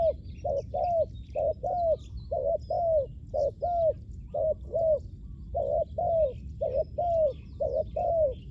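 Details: Spotted dove cooing for luring wild doves: steady two-part phrases, a brief coo then a drawn-out descending croo, roughly one pair per second, with faint chirps from other birds in the background.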